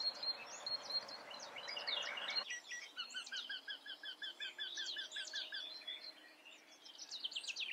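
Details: Eurasian wryneck calling a series of about ten evenly spaced, nasal mid-pitched notes over roughly two and a half seconds, while other small birds twitter higher and faster around it.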